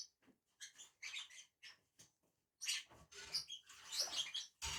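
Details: Two lovebirds feeding on a branch give squeaky chirps that build into dense, harsh chatter, over rustling and feeding noises.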